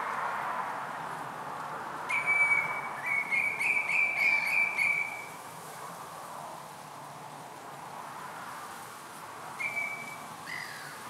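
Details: Common redshank in partial summer plumage, presumably male, feeding at Marshside RSPB Reserve, Southport, Lancashire, on 24 June 2021. A rapid run of clear, piping whistled notes for about three seconds, then one short whistle near the end, over steady hiss.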